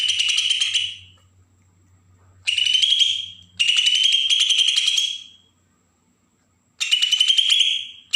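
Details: Bornean green leafbird, Berau, Kalimantan, in agitated besetan song used to stir newly caught birds: repeated one-to-two-second bursts of rapid, grating, high chatter, each trailing off, with gaps of silence.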